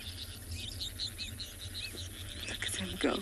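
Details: Black-backed Puffback at sunset near standing water on safari, 11 June 2024, giving short, sharp clicking notes about every half second over a steady insect chorus, with a person speaking at the end.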